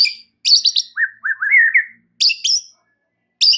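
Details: White-rumped shama lure song meant to provoke other shamas into agitation: bright high chattering bursts alternate with a short run of lower slurred, rising whistles, separated by brief silences.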